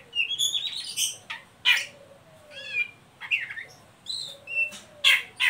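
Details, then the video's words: Ngeriwik song of an Oriental magpie-robin, meant as a lure to spur young birds into singing; loud harsh squawks alternate with descending whistled slurs, delivered in separated bursts roughly every second. "Suara burung Kacer ngeriwik pancingan ampuh buat Kacer bahan"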